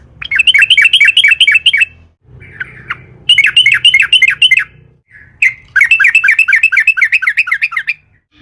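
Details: Sooty-headed bulbul song used as a lure to get other bulbuls singing: three long bursts of fast, rolling, chattering notes separated by short pauses, with a steady low hum.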